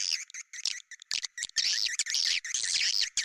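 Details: Sound for attracting swiftlets, bintang utara type: short high chirps and twittering bursts, separated by brief silences at first, then running together into a busier, fluttering chatter.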